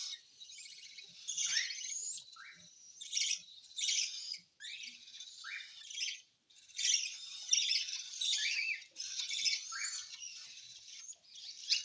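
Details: Cockatiel begging while being hand-fed, giving rasping, hissy bursts in irregular bouts separated by brief pauses, broken by small upward-slurred squeaks.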